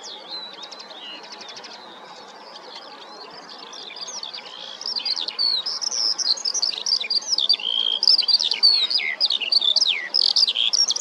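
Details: Common linnet, a small finch, singing: a fast, dense stream of bright twittering notes, buzzy trills and short rising chirps, sparse and quieter at first, then continuous and louder from about four seconds on, with no other clear sounds.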